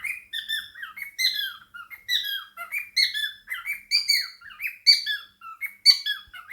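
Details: Cockatiel sharing a home with budgies, chattering: quick squeaky chirps and short whistles in uneven clusters, about one per second, busy and unbroken.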